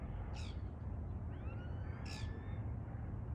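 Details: Common starling on a September 26 morning giving two short, harsh rasping calls about two seconds apart, with faint thin whistles, over a steady low traffic rumble.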